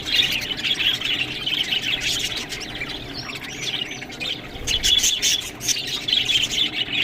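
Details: Budgerigars at green food make a bright twittering chatter of high chirps and short rising squeaks, steady throughout with scattered clicking noises.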